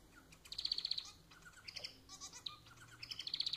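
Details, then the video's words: Caged-pet manon, the society finch, delivering dense buzzy trilled phrases, with a brief metallic warble in between and the trill resuming at the end. "Vídeo para fazer seu MANON cantar muito!"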